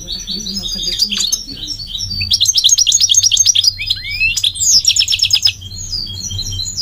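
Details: Goldfinch, described as migratory, sings chattering twittered phrases with rapid repeated trills and an upward-sweeping whistle, softly tinkling throughout.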